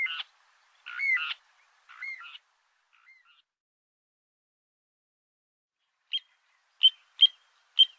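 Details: Little ringed plover during mating, egg-laying and incubation: a few harsher, grating double notes come first, then a pause, then four clipped, high whistled pips spaced under a second apart.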